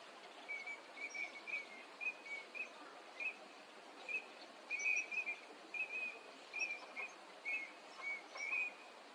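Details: Eurasian teal wintering at a park in Chiba, Japan, recorded February 2025: a steady series of brief, clear piping whistles, single or paired, repeated roughly every half second over a faint background hiss.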